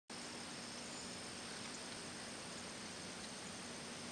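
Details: Only a constant, even hiss of broadband noise with a faint low hum is heard throughout, with no animal calls.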